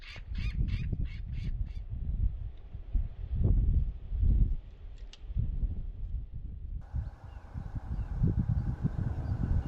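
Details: Peregrine falcon nesting by the Richborough Power Station wind turbine, a former nature reserve, visited in October. About five sharp, harsh repeated notes open the clip, then strong wind rumble and a steady tone.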